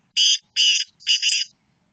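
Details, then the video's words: Black francolin in a lively mood gives three harsh, grating notes in quick succession. The third note is longer and split in two. The background is otherwise silent. "Kala teetar ki awaz.کالے تیتر کی آواز"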